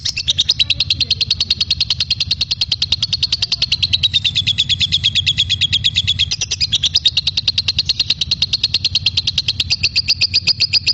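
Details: Lovebird singing actively, used for training magpie-robins: an unbroken stream of rapid, high, buzzy chirps lasting the whole stretch, with a steady low hum underneath.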